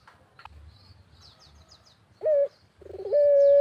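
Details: Barbary dove calling in the countryside as a lure for other doves: after faint background chirps from small birds, a short bent note sounds, then a stuttering roll leads into the start of a sustained loud coo.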